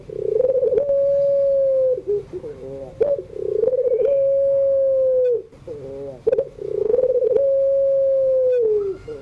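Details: Evening song of a pelung-type Barbary dove, played as a tutor for young birds. Three long, steady low coos each end in a falling dip, separated by brief bubbling trills, in a regular cycle.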